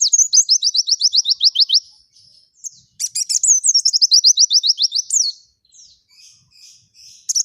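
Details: Vigorous white-eye song in forest style: a run of about fifteen quick, high, downslurred chirps, a short gap, then another busy run mixing twitters and descending notes.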